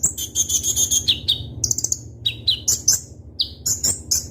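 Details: Kolibri ninja sunbird, a kept bird delivering sharp, crystal-clear song: a buzzy trill, then high whistles and abrupt chirps in rapid bursts, with a faint low hum.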